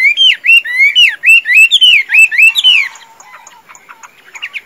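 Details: Rich whistled song of a tame Chinese hwamei kept as a fighting bird: clear rising-and-falling phrases repeated rapidly for about three seconds, then fading into softer, scattered chips.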